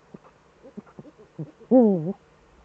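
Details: Eurasian eagle-owls in the Eifel, Germany, with both birds back, on the evening of 11 March 2013 at 18:47; a run of soft taps and knocks, then one loud, low, wavering call that dips and rises, about half a second long.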